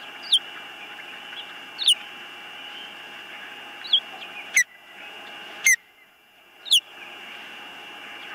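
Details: Nest-cam osprey recorded 19 April 2024 while birds come and go: five or six separate high, downslurred whistles spaced one to two seconds apart, with a dull thump and brief quiet between some calls.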